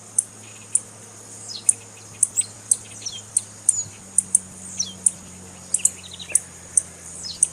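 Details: Repeated thin, high tsip notes from a female blue-black grassquit, given to excite a male and prompt song, mixed with short falling slurs and a steady low hum.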